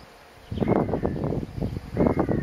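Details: Squacco heron at Skala Kallonis, dated 4.5.15: harsh, rasping, low croaks in a rough burst lasting about one and a half seconds, then a second grating burst, with a faint thin whistle above.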